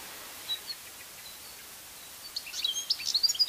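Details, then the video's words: Wild European goldfinch singing, recorded at a distance from a hide: a few thin high notes, then a rapid tinkling twitter of high chirps and trills over steady background hiss. "Cardellino "Canto""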